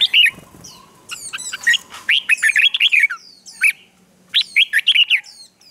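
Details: Red-whiskered bulbul in morning song meant to train and excite newly caught birds into competitive singing: three bursts of rapid, bubbling, whistled phrases, each made of several quick notes, separated by short pauses.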